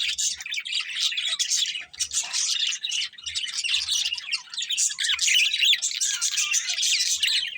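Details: Several budgerigars in busy, unbroken chatter: a wash of high, rasping twitters and chirps with faint low thumps beneath.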